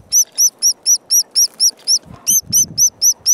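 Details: Begging white-headed woodpecker chick calling from its nest near park headquarters as the mother forages for food; rapid series of high, sharp arched squeaks about four per second, briefly pausing, with a low thump midway.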